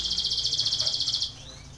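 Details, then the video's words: Canary, Belgian, singing a contest training song: a rapid pulsing high trill lasting just over a second, then fading to faint background hum. "canary training song for contest / canto Canário belga cantando"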